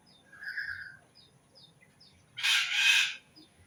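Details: A bird gives a short clear chirp, then several faint ticks, followed by a loud harsh rasping double burst and another faint note near the end.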